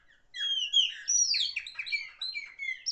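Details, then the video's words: Chopi blackbird, a bird said to sing loudly, giving a rich run of clear whistled notes with quick slurred and chattering phrases, rising and falling, in a clean recording with no other sounds. "Black bird song, beautiful bird song"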